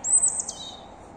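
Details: Unidentified bird singing at three in the morning: one short, very high thin phrase of squeaky notes sliding down into a fainter trailing whistle.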